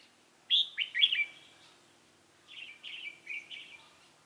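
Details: Red-whiskered bulbul decoy singing to lure a wild rival into a trap, recorded 28 October 2018: two bursts of bright, quick warbled notes, first loud and swooping, then a softer run of three to four slurred phrases.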